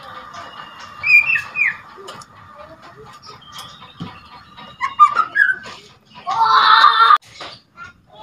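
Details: Two-month-old white-rumped shama fledgling learning to sing, its rattling and whistling used to rouse other shamas. Scattered short rising whistles, then a dense, harsh rattling burst near the end, with quiet gaps between phrases.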